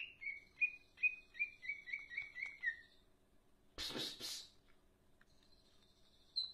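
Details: Cak ijo leafbird in full darderdor song: eight or so bright, downward-slurred whistles repeated evenly for three seconds, followed by a harsh rustling burst and near silence, with one faint high note at the end.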